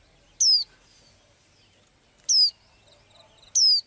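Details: Small blue-eyed bird said to sing every day: three brief, high, bright descending whistled notes, each with a quick downward sweep, spaced about one to two seconds apart over faint background hiss.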